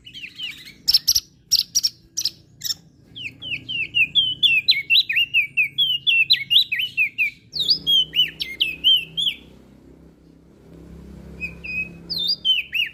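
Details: Crested white-eye from Lombok, used to encourage birds that rarely sing: loud broadband chips at first, then extended runs of quick bending whistles, with pauses and faint low background rumble.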